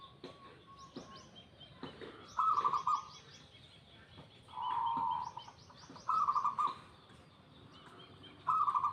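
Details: Local zebra dove repeating quick, stuttering coo phrases, one held as a longer, smoother note, roughly every two to three seconds, while other small birds twitter high-pitched chirps in the background.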